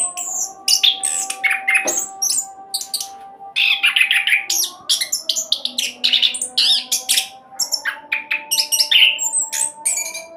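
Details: Speedy 'roll' singing by an orange-headed thrush, used to stimulate other birds to call. Long nonstop stream of sharp chirps, squeaks and thin whistles in quick bursts, over a faint steady background tone.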